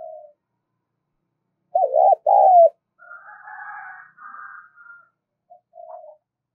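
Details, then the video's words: Spotted dove call for stirring a decoy bird: two loud wavering low coos, followed by a softer drawn-out mixed tone and a few faint notes. "tiếng cu gáy gọi - chim cu gáy kích bổi nhanh nổi hiệu quả"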